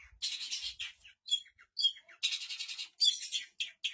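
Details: A Long-tailed Shrike sings lively, copying other birds: clusters of harsh, high buzzy chatter alternating with short whistled notes and brief pauses.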